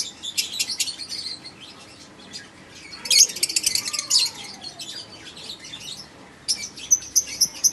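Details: Male and female African lovebirds of all colours, active together: dense bursts of high, sharp chirps and tweets in rapid flurries, with a loud cluster near three seconds, a faint gliding tone mid-way, and another lively chirping burst toward the end.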